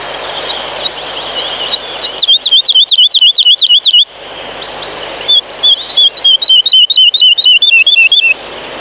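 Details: Woodlark song in a Polish pine forest: soft, liquid, flute-like 'lilila' notes repeated quickly in runs of about eight, each phrase gently falling in pitch, in a quiet outdoor setting.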